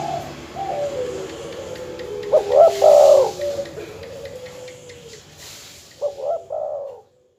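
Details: Lure recording of a terkukur or perkutut dove used to rile rival birds: two separated phrases of deep, rounded coos, each a quick cluster of notes, with a soft continuous drone and faint hum underneath.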